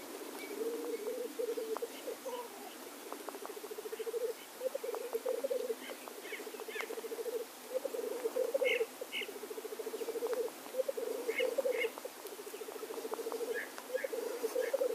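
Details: Lekking male black grouse produce a constant low bubbling chorus in rolling phrases, with paired higher calls recurring every few seconds and scattered clicks throughout.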